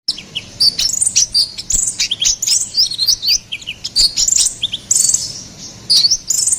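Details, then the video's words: Ruby-cheeked sunbird (konin kolibri ninja) in energetic gacor song: a rapid stream of very high, thin chirps and short twittering notes, some sliding, packed densely over six seconds with barely a pause. "SUARA GACORAN KONIN KOLIBRI NINJA"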